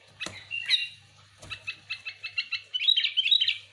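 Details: Sooty-headed bulbul recorded for luring other bulbuls: a rapid series of short chirping notes, about two per second, building into a bubbly warbled run, with two sharp clicks near the start.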